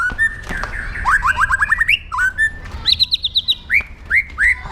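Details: Captive white-rumped shama with a fierce, aggressive song meant for training other birds: a rapid series of rising whistled slurs, then high clear phrases and spaced upward-sweeping whistles.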